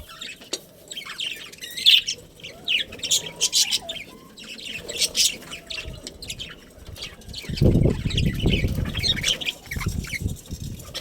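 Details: Chirping from a breeding colony of budgerigars: irregular high tweets and short scratchy notes, with a burst of low rumbling noise near the end.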